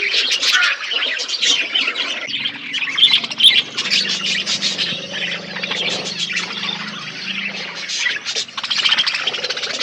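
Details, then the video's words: Many budgerigars feeding in an outdoor aviary produce bursts of scratchy, high twittering chatter that rise and fall in waves, over a low steady droning tone in the middle stretch. "Budgies parakeet eating food in outdoor aviary birds chirping sound"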